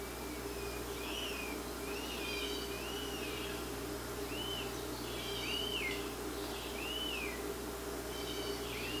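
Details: Rose-breasted Grosbeak baby in Quebec, fed by its mother, giving a rapid run of arched, whistled begging notes, some overlapping with fainter higher notes. A steady low hum continues throughout.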